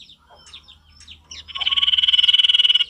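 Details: A male sirtu sings in a wild-sounding forest style: a few soft scattered whistles, then a loud fast buzzy trill of rapid pulses held for over a second.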